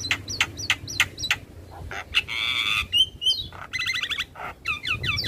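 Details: A Javan myna sings in the morning as a model for young birds, mixing sharp clicks, a rasping buzz, and quick repeated upslurred whistles into a varied, jerky phrase.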